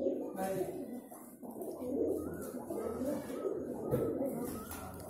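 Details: Pigeons courting indoors give low, rolling coos, several overlapping and repeated throughout, with a faint hum in the background.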